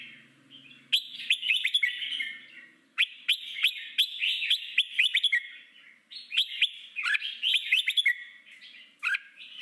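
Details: Red-whiskered bulbul singing a wild-style song used to train young caught birds for singing contests; rapid chirped and whistled notes in bursts, with brief pauses between phrases, and a faint low hum at the start.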